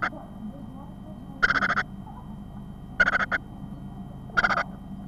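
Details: Great tit chick in a nest box on 25 April 2010 at 14:16, begging at its first feedings: three faint, harsh, rasping bursts about 1.5 s apart, each under half a second, over a low steady rumble.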